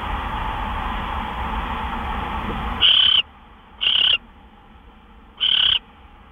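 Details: Owl at a nest during gopher prey deliveries shortly after midnight on March 26, 2013; after nearly three seconds of steady broad hiss, three short harsh rasping screeches, each about a third of a second, stand out clearly.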